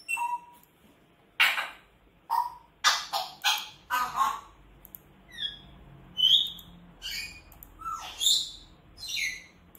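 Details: Pet grey parrot screaming at home: harsh broadband shrieks in irregular bursts, some closely doubled, mixed with shorter whistled notes that slide up and down, against a quiet indoor background.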